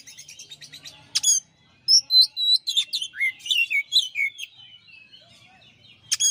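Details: Soft chattering from a champion Oriental magpie-robin (kacer) on a master song recording, broken by a sharp crack, gives way to a loud outpouring of varied whistles and slurred notes before quieter twittering and one final sharp note.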